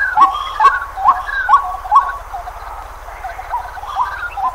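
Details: White-breasted waterhen in Pingtung County, Taiwan, 23 May 2020: short upslurred notes repeated about twice a second, steady at first, then looser and overlapping with quieter rising notes, over a low constant hum.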